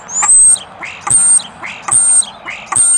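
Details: A common starling giving its mating call very close to the camera repeats a thin, very high whistle, a sharp click and a lower, rising wheezy note, cycling roughly every 0.8 seconds.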